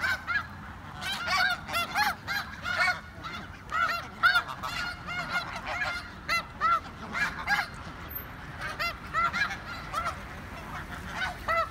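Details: A noisy flock of snow geese in Richmond, British Columbia, with dense, rapid, high nasal honks and yelps. Many birds call at once in bursts of varying loudness for about twelve seconds.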